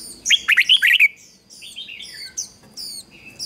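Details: Decoy red-whiskered bulbul, singing to call in wild birds: a short, fast string of six rich warbled notes, then softer high-pitched chirps and tweets from other birds.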